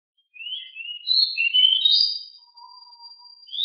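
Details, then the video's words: Rolling song from a very noisy, agile pied bushchat. Rising whistled and warbled notes lead into a long, thin, held high tone, with a faint low whistle beneath it, before the next phrase starts. "DECU sangat gesit suara sangat berisik"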